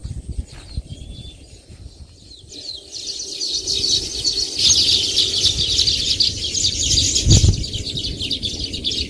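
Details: A faint thin whistle, then a group of Baya weaver birds breaks into busy, high chirping chatter after a couple of seconds, over low background rumble and one knock.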